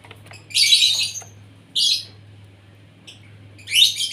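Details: Asian pied starling, fed its morning meal to make it sing freely, gives harsh, scratchy high bursts in three separate phrases with pauses between, over a low steady hum.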